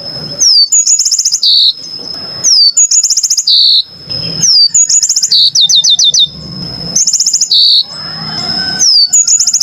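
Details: Clear yellow-fronted canary song: swooping whistles followed by fast high-pitched trills and short buzzes, the phrase repeating about every two seconds, once with a string of quick rising chips, over a steady high whine and faint low noise.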